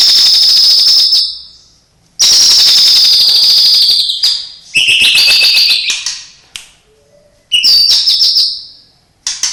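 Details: Owned white-rumped shama giving isian song with borrowed phrases from cililin, sparrow, lovebird and canary: long, loud, high sustained whistles and rattling trills, each phrase one to two seconds, separated by short silences.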